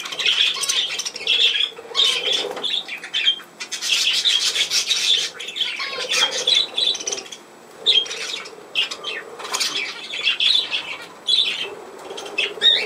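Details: Budgerigars on 17 November 2024: a continuous, busy warble of scratchy chirps, rasping notes and short whistles, with a few brief lulls and a faint rubbing sound.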